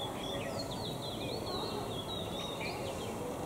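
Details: Oriental magpie-robin (Copsychus saularis) sings a varied run of clear, high whistled notes with quick slurs and twists, over steady background hiss and rumble.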